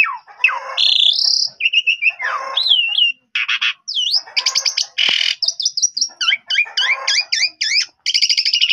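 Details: Asian pied starling singing continuously, used to make young starlings respond and sing. The phrases vary: clear whistled upslurs and downslurs, rapid looping notes, rattling buzzes and harsh wheezy bursts, delivered in a fast, varied stream with few pauses.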